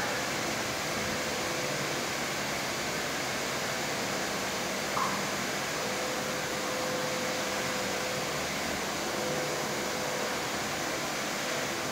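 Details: Steady broadband hiss like a fan or air conditioner, with no animal sounds.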